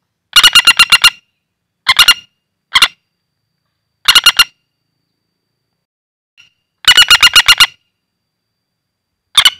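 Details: Common flameback lure call from a wild-caught bird. Bursts of quick, hard, clicking notes come in runs of two to seven, separated by silent gaps of one to three seconds.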